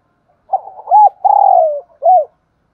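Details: Spotted dove lure call used to draw in wild doves, said to work even in wind and rain; a single phrase of four cooing notes, two short arched coos, a long sliding coo and a closing note.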